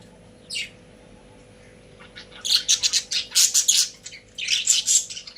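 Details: One short chirp, a pause, then caged pet budgerigars break into loud rapid chattering, high raspy pulses packed closely together in two bursts.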